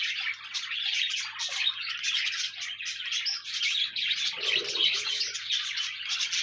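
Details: Pet parakeets (budgies) singing as company for a lonely bird: busy, overlapping high warbling and chirping from many birds, a brief lower grating note midway.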